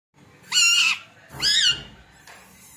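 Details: Parrot voice: two loud, drawn-out harmonic squawks, rising then falling in pitch, each about half a second long, with a faint third note trailing at the end in a quiet room.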